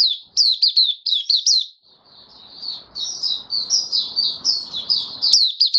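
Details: Caged white-eye in open 'buka sing' singing, recorded 18 May 2022 after regular deworming with health supplements: rapid high warbled notes in quick bursts, a brief pause near two seconds, then continuous twittering over faint low background rumble.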